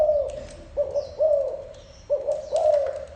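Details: Spotted dove repeating low cooing phrases, short note then an extended gently falling coo, in two clusters separated by a pause, with a few faint high chirps and clicks around.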